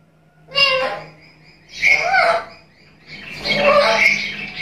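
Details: Black-capped lory, talkative captive bird, uttering three rough harmonic bursts about a second apart, the last longer and more jumbled, with chattering squawks and mixed tones.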